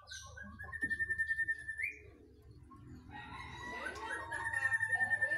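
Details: Agitated whistling thrush holding a long, steady whistle that lifts sharply at its end, followed by a noisier burst of overlapping whistles and rattling, with a low hum throughout.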